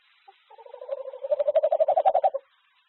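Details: A courting tawny owl pair, filmed 6 February 2025, trade love calls: a soft, fast bubbling trill of about two seconds that swells louder and rises a little in pitch, in an otherwise quiet background.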